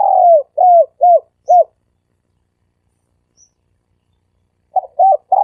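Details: Dove cooing in the 'sam kuk' pattern used for luring: four mellow coos, the first long and falling, the rest short and arched, then silence before two more coos near the end.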